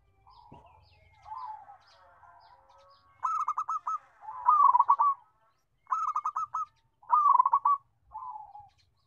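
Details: Big-voiced local zebra dove with a melodious song: quiet coos build into four loud phrases of rapid, even, stuttering notes, closing with a softer falling coo.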